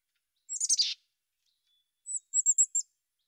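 A Mountain chickadee gives a scratchy, high burst, then after a pause a quick string of four or five thin, very high chips. No other sounds are heard.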